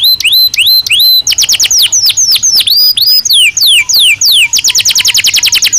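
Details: Belgian canary singing naturally, loud song of rising whistled notes, then a sequence of sweeping descending whistles, closing with a fast regular trill.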